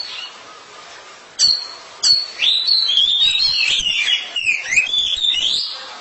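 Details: A pair of Oriental magpie-robins dueting, a couple competing in song: after a quiet opening, two sharp notes lead into a rich run of whistled, warbling phrases sliding up and down.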